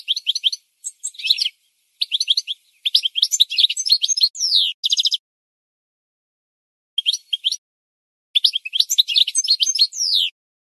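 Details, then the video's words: A goldfinch sings in quick bursts of high, tinkling twitters with buzzy, slurred notes, broken by short pauses; no other sounds. "The Best Singing Goldfinch"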